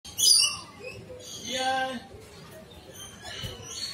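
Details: A lory in the Lory Loft walk-in flight aviary at Jurong Bird Park, Singapore, during lory feeding, gives a harsh, high screech at the start, followed by voices talking and faint chirps from other birds.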